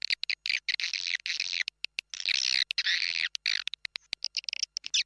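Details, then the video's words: Swiftlet calling sound captured inside an established swiftlet house, used to attract the birds: continuous high, rasping twitters cut by rapid clicks and brief silences. "Suara Panggil RAJA LIUR ORIGINAL"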